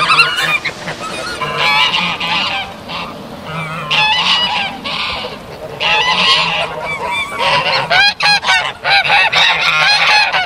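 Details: Canada geese in Maryland honk loudly and often, a busy overlapping chorus of harsh, nasal two-part honks with a low hum underneath.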